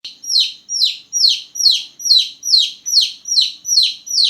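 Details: Small newborn chicks chirping loudly at night: loud, high peeps that slide sharply downward, about ten in quick succession, steady at roughly two per second, with no other sounds.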